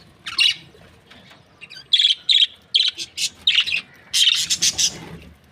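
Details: Australian budgies, a happy breeding pair, chirping: a run of short bright chirps spaced roughly a third of a second apart, ending in a dense rapid burst.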